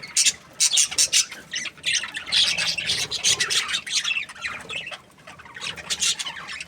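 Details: Australian budgies, parrots kept as pets, chirping: dense bursts of harsh, scratchy squawks and high chirps in rapid clusters, with brief pauses between flurries, several birds overlapping.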